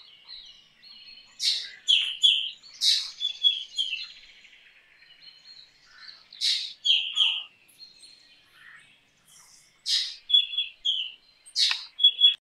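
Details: Black drongo singing a lively mix of sharp high chips, metallic notes and short whistled phrases, delivered in bursts separated by brief quieter gaps, with a faint high background hiss.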